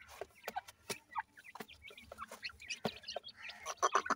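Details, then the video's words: Francolin chicks being fed utter rapid, irregular little chirps and peeps, several at once, punctuated by crisp clicking taps, with a denser burst of high cheeping near the end. "jewan teetar k bachay, new teetar new chicks feeding"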